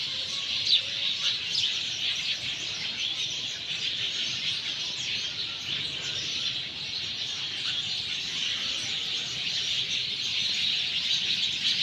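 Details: Sparrows chattering after monsoon rain in Sanghar, Sindh: a dense, continuous wall of high chirps and tweets from many birds, steady in loudness throughout, with no other clear sounds.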